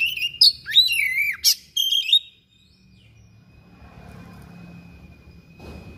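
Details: Thick-billed oriental magpie-robin, persistent singer showing its fill-ins: a dense two-second burst of high whistled and sweeping notes, including a deep downward-then-rising swoop, followed by quiet with a thin steady tone and faint background noise.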